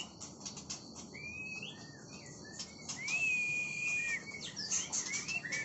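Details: Oriental magpie-robin song over steady insect buzzing: scattered short whistles, then a long level whistled note, followed by quick high twittering slurs.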